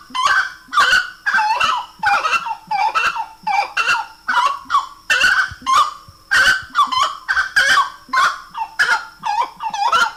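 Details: Grey-necked wood rail in full song: a long run of loud, hoarse, honking notes repeated rhythmically about twice per second, strongly overtoned and slightly rising and falling, with no other clear sounds.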